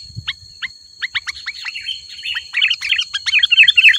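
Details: Lively sooty-headed bulbul song for attracting wild bulbuls: a few spaced, sharp notes build into a dense, jumbled chatter of high chirps and warbles, over a faint constant whine.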